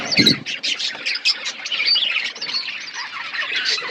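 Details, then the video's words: Crowded budgerigar colony with harsh squawks and high, rapid chirps blending into a constant chattering chorus, opening with a brief low knock. "Budgies colony setup birds chirping sound"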